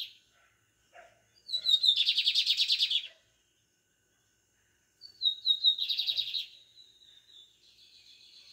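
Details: Lined seedeater in pardinho song style, delivering two separate phrases. A high whistle runs into a strongly pulsed buzz about eleven beats long, the second phrase trailing off into a softer sustained buzz.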